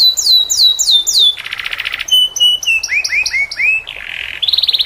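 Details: Canary song used to tutor other canaries, with distinctive unusual phrasing: repeated downward-curving whistles, a buzzy trilled section, level whistles, rising slurred notes, then another buzzy phrase and a fast rattle.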